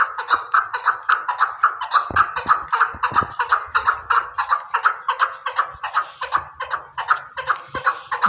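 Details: Chukar partridge from Pakistan delivering a steady, rhythmic string of throaty chuck notes, almost three per second, each with a ringing overtone, over faint low background hum.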